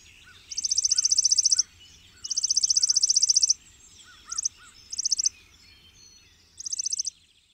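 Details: Chipping sparrow trilling. Two long, dry, mechanical trills of fast high chips are followed by several short trill bursts. Soft, lower whistled notes from other birds come in between.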